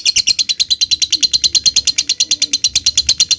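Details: Lovebird song used as a lure to make other lovebirds sing, in the ngetik and ngekek styles: a steady machine-gun run of high, sharp chattering notes, about eight per second, with no pauses.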